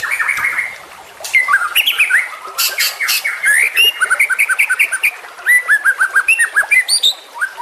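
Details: Juvenile white-rumped shama singing a continuous medley of whistled slurs, buzzy bursts and fast chip series, switching phrases every second or two.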